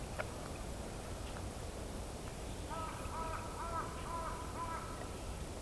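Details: Female Northern goshawk calling to the male: a rapid run of harsh, repeated cackling notes in the second half, over steady low background rumble.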